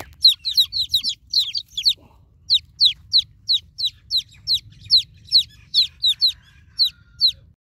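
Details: Newborn chicken chicks calling for their broody mother hen: loud, high, downward-sweeping peeps in a rapid, fairly even series of about twenty calls, briefly pausing near the middle, over a quiet low hum.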